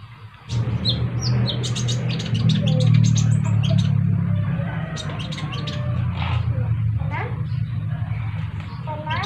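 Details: Sunbird calls, with another sunbird joining in and answering: rapid, high, thin chirps and short sweeping notes in quick bursts, over a loud steady low hum.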